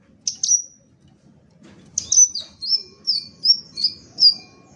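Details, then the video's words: Crimson sunbird (sepah raja ekor merah) giving two sharp high chirps, a pause, then a steady run of six piercing downslurred notes about two per second, with faint low background noise. "BURUNG SEPAH RAJA EKOR MERAH"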